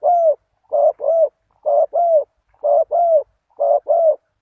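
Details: Cooing of a spotted dove played as a decoy to draw in wild doves: soft, hollow double coos, each pair a short note then a longer sliding one, recurring roughly every second over a clean, quiet background.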